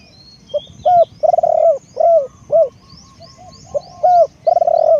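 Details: Spotted dove used as a decoy, cooing in deep, rounded notes: a short lead note, a fluttering trill blending into a long coo, several single coos, then another rolling phrase; faint thin bird calls above.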